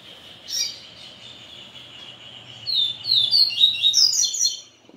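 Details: Capim seedeater singing, stirred up after a day with a female: a steady high thin tone, then from about 2.7 seconds a rapid run of sharp, descending, buzzy chirps climbing higher in pitch, with faint low background hum.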